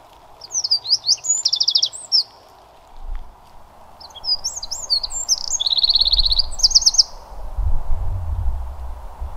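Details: Eurasian wren in the Pilica valley, Poland, giving loud high-pitched song: rapid trills and sharp twittering notes in two bursts, the second ending in a fast rattling trill, over steady background rumble and low wind noise.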